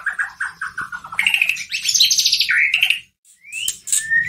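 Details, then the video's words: White-rumped shama song played to provoke a caged shama: a run of quick repeated chirps leading into a loud varied warble, a short pause, then a rising whistle and a long level whistled note. "Pancingan masteran pendongkrak emosi murai batu loyo langsung nyahut Gacor"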